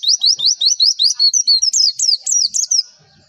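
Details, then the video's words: Javan white-eye tutor song meant to make other white-eyes answer: a rapid run of about fifteen high, sharp downslurred chirps, steadily repeated and slightly varying in pitch, then trailing off. "MASTERAN AMPUH PLECI, Klik sekali semua pleci pasti nyaut"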